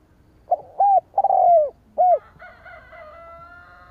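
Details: Spotted dove calling to lure rival doves: a short note, then several loud, slightly descending coos in quick succession, the longest one drawn out and sliding downward, followed by a fainter, sustained, higher tonal sound.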